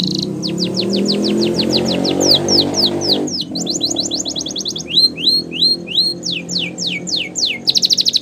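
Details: Canary training song with a low musical drone behind: long run of evenly spaced falling whistles speeding up, then paired rising chirps, steeper down-sweeps and a closing fast trill.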